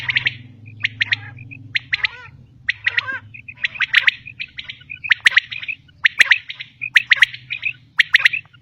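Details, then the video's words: Calls of a female common quail, known locally as batair: short, crisp notes in tight clusters of two or three, repeated about once a second over a steady low hum. "Common quail Calling| Female Quail sounds"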